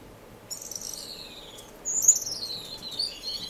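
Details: Finch in an indoor community aviary in Edmonton, Canada, in March: thin, high whistled notes sliding downward, then a brighter, louder descending whistle with a few soft chirps, over faint room hiss.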